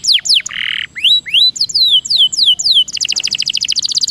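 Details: Canary song used as a prompt to get reluctant canaries singing and rolling: quick high whistled notes sweeping downward, a short harsh buzzy note, more falling slurred whistles, then a rapid, even, rolling trill to the end.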